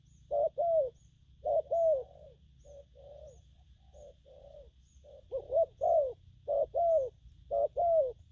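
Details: Young spotted dove cooing in the gù phóng and gù lăn styles: short low hollow coos, often paired, repeated about once a second, with brief softer notes between and a steady low hum behind.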